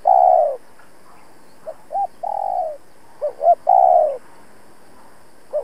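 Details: Decoy spotted dove, a caged lure bird, giving urgent cooing to challenge and draw in wild rivals: low, mellow coos, each phrase opening with short hiccuping notes and ending in a long drawn, slightly falling coo, in a quiet rural setting.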